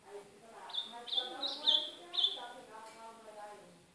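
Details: Training song of a northeastern ultramarine grosbeak for a pet bird: several short, high, clipped whistles repeated about every half second, mixed with low voice-like murmuring throughout.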